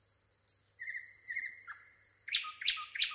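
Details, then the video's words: Nightingale singing a short phrase: high whistled notes and a lower sustained whistle, then a sudden series of loud repeated chattering notes, about three per second. "nightingale singing"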